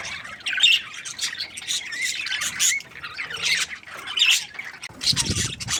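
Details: Breeding pair of budgerigars, said to be happy, trading uneven squeaky chirps and short whistled notes in irregular bursts, with a faint low thump near the end.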